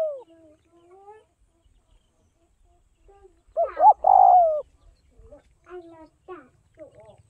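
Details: Spotted dove from northwest Vietnam, a tame captive bird. A loud, drawn-out falling coo sits midway, with fainter wavering, warbled notes before and after and a soft low rumble underneath.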